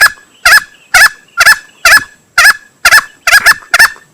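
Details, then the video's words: Hunting lure of a male green junglefowl: nine harsh, gobbling notes about two per second, some doubled, with a strong ringing tone under the rasp. "Suara pikat ayam hutan hijau jantan"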